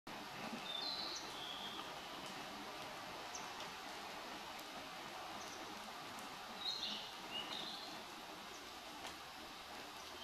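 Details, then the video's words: Narcissus flycatcher in Chino, Nagano, Japan, on 16 July 2015: two short phrases of high whistled notes, each a quick slurred flourish, about six seconds apart, over steady broadband background hiss. "コガラの鳴き声？→ キビタキ"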